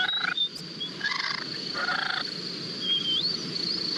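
Sandhill Crane giving two rough, rolling bursts about a second apart, with high thin whistles and a steady hiss underneath.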